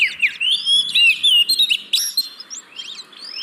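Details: Oriental magpie-robin (kacer) song for stirring reluctant caged birds: fast run of whistled slurs and chips, strongest in the first two seconds before fading to softer notes.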